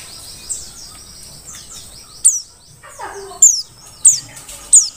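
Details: Forest-type Mountain white-eye from Merapi, kept as a tutor singer: scattered, very high, thin descending chips, spaced irregularly, with a faint lower note midway and a soft background hiss.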